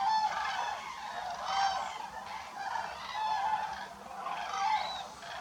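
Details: A flock of wintering common cranes in France, families regrouping at dusk to return to their roost, calling together in loud rolling trumpet-like bugles that overlap in waves, swelling and fading every second or so.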